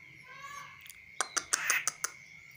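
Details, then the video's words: A tame, hand-reared and trained kaso-kaso bird, perched on a hand outside its cage, gives a quick run of six sharp, clicking chips, about five per second, over a thin steady high whine. "BURUNG KASO KASO GACOR"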